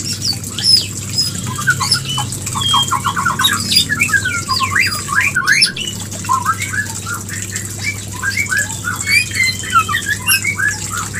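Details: A white-rumped shama gives its mating call to bring a female into breeding condition: rapid strings of short rising chirps and whistles, with brief pauses between bursts, over a steady low hum.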